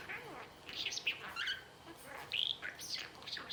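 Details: Four-year-old male albino budgie mimicking words: thin, high, chirpy syllables strung into speech-like phrases, with one clear rising whistle-like note toward the end.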